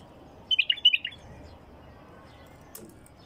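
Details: Short, lively phrase from a wild bulbul, five or six rapid chirpy notes in half a second, then quiet with a faint click.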